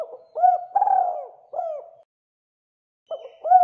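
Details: Spotted dove calling, used as a lure to make other doves call: low, hollow coos with a rising-falling inflection in a rolling phrase of three notes, a second of silence, then the phrase starts again.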